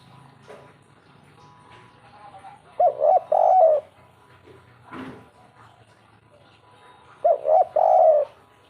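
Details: Spotted dove singing the kuk 3 cooing style: two separate phrases of low, hollow coos, each a short note followed by longer, slightly wavering notes, with faint background murmur between phrases.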